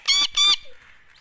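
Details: Indian ringneck parakeet giving two loud, harsh, buzzy screeches in quick succession, each about a fifth of a second long and rich in harmonics, followed by a short quiet tail with faint background noise.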